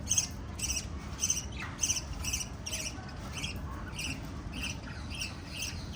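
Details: A parrot family of five lovebirds chirping: short, high, clicky chirps repeated rhythmically, nearly two per second, over a low steady rumble.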